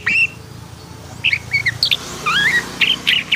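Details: Long-tailed shrike, a black-and-white bird described as agitated (emosi), gives scattered harsh squawks and short rising and falling whistled notes with gaps between them, over a low rumble of distant traffic.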